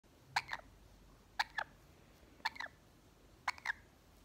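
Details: A pet Quaker (monk) parakeet, said to be jealous of a lorikeet, gives harsh, raspy squawks in quick pairs, about one pair every second, over a quiet background.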